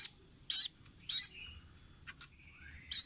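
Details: Velvet-fronted nuthatch on a training recording for caged birds, giving loud harsh, buzzy squeaks spaced about half a second apart, with a faint thin whistle between them.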